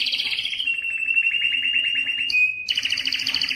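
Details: Canary song meant to excite females for breeding: a dense, fast trill held steady for about two seconds, a short clear whistled note, then another rapid rattling trill.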